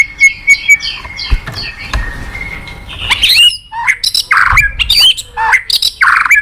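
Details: White-rumped shama song meant to get a silent caged bird singing: soft repeated chip notes at first, then loud harsh chattering bursts and twisting whistles.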